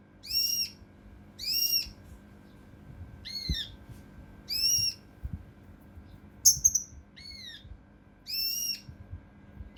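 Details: Mountain leaf warbler singing for competition-bird training, in the rough, tight-burst style tembakan kasar rapat: steady series of loud arched harmonic notes about every second, one sharp stuttering high whistle midway, faint rumble beneath.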